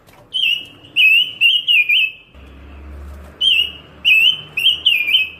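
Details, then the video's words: Pancawarna bird from a tutoring recording, singing a run of loud, clear, slurred whistles that each waver up and down, repeated in quick succession, pausing briefly before resuming, with a low hum underneath. "Masteran burung pancawarna// gacor super brisik"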